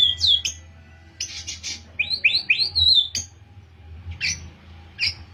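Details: White-rumped shama of the Pastol type, learning canary-style phrases, sings a varied run of bright whistled notes, quick rising slurs and a long wavering whistle, with short sharp chips between phrases.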